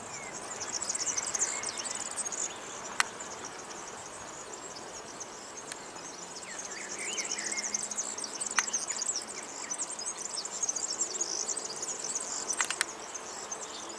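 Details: European serin song: long bursts of very high, rapid, jangling notes with brief pauses, and a few lower whistled notes from another bird in the background.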